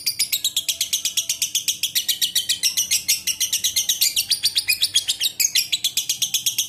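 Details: Long chattering song from a lovebird, a fast unbroken run of sharp, high, buzzy chirps repeated nearly four times a second throughout, slightly uneven in spacing.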